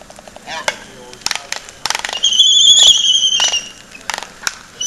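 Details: Laysan albatrosses at Princeville, Kauai, Hawaii, make courtship-dance sounds: scattered sharp clacks, then a drawn-out, high whistled note lasting about a second before the clacking resumes.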